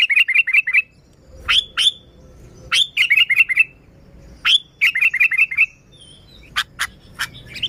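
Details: Sooty-headed bulbul song meant to attract bulbuls: rapid runs of five or six bright, bouncing chirps, separated by rising whistled notes and pauses, with a soft low rumble underneath.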